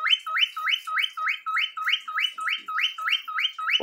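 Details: Pet cockatiel in Brazil singing at length, reluctant to be filmed: a clear whistled note sweeping sharply upward, repeated about three times a second in a steady run, with a woman speaking Portuguese just before and after.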